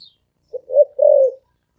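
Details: A single low coo phrase from a spotted dove in the deep, resonant 'thổ ồm vang' style: a brief clipped note, a rising middle note, then a drawn-out wavering hoot.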